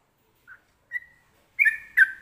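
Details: Yellow-vented bulbul (trucukan) with a prized 'ropelan' song style: a few short, isolated whistled notes, then two louder, richer warbled phrases near the end, in quiet surroundings.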